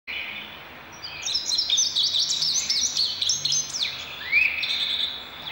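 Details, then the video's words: Indigo bunting song: a run of high, quick, sweeping and paired notes lasting about three seconds, followed by a single rising slurred whistle near the end, over faint steady background hiss. "Bird Song Indigo Bunting"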